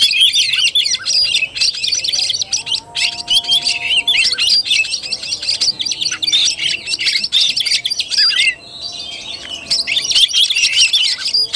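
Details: Oriental magpie-robin in fighting-style (tarung) song, 17 August 2021: long, dense outpouring of high chattering whistles and trills, one clear pause near the end before singing resumes, faint low whistled tones in the background.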